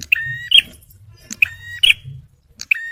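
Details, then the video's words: A male bar-winged prinia sings for luring and prompting stressed birds: sharp chips with short buzzy level notes, three phrases with pauses between, against quiet low noise. "TEMBAKAN PRENJAK MERAH JANTAN || CIBLEK SUPER GACOR"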